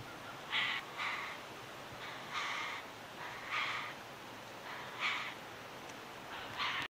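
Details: Night-time contact calls of a tawny frogmouth fledgling that a parent is feeding after dark, recorded in Melbourne, Victoria, in December 2020. Short, hoarse, wheezy rasps come irregularly, roughly every second, against constant hiss.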